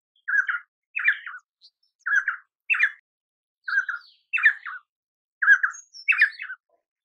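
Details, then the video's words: Painted spurfowl singing: clear, buzzy two-part phrases repeated roughly every second and a half, each a lower burst followed by a higher, rougher one, in an otherwise quiet setting. "Painted Spurfowl Sound - Painted Spurfowl Singing - Painted Spurfowl Call - Painted Spurfowl Voice"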